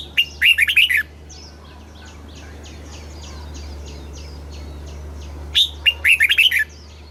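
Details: Red-whiskered bulbul from Thailand singing in the southern master style, used to excite caged birds and tutor young ones: two loud bursts of fast whistled notes with a soft, faint twittering in between and a low steady hum beneath.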